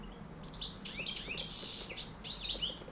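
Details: Singing European goldfinch in a brief performance, a fast run of liquid twitters, short buzzy bursts and high sweeping notes crowded closely together.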